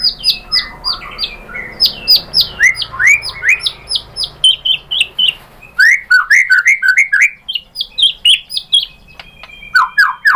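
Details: White-rumped shama singing a lure song to provoke an answer: dense, rhythmic series of sharp downslurred notes in bursts, then rising-falling whistled phrases repeated several times.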